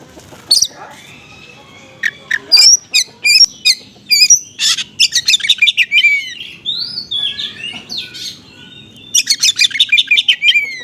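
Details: Oriental magpie-robin singing with small-bird material, used to lure other magpie-robins to answer: rapid runs of sharp, high, repeated whistles and harsh chattering notes, a looping twittering passage midway, and a dense rattling series near the end.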